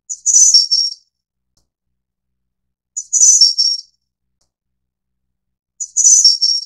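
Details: Ficedula hyperythra innexa, the Taiwan subspecies of Snowy-browed flycatcher, gives three identical high, lisping phrases roughly three seconds apart, each a short opening note followed by buzzy trilled notes dropping slightly; no other sounds.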